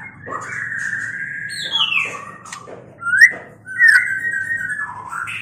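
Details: White-rumped shama song linked to mating: long clear whistles near the middle register, some sliding downward, then a sharp rising note and a bright upward-slurred phrase, over a faint low hum.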